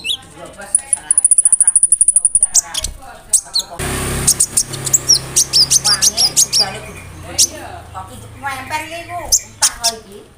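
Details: Konin bird copying a cricket and other birds, used for teaching songbirds: a long, steady, very high cricket-like trill of rapid pulses, then a busy mix of sharp chirps, chatter and brief whistles over a low rumble.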